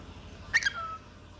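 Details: Pet cockatiel saying its only learned words, "peek a boo": a short burst of harsh, buzzy syllables followed by a clear whistled tone that slides downward, indoors against a faint low hum.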